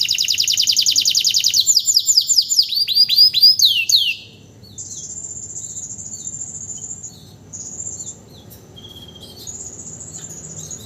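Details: Canary used as a vocal tutor, singing hard just after moulting: a loud fast high trill, then a cascade of quick downslurred whistles, followed by quieter thin, high sustained trills in the background.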